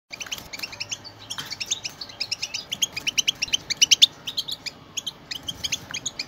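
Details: A group of European goldfinches sings together, a recording meant to stir pet goldfinches into song: dense, high, tinkling twitters and short chirps overlap continuously, with brighter bursts clustering in the middle.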